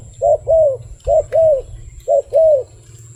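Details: Three clean couplets from a wild dove: a brief hoot and a longer arching coo, spaced about one second apart, soft low drone behind.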